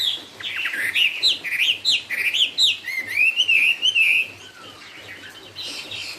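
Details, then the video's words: Song of a Chinese hwamei of the "cao cầu" type: a series of sharp upslurred whistles in quick succession, then a sustained wavering warble that fades, leaving quieter background with a soft low hum. "con chim hót cũng thẳng " Họa mi cao cầu""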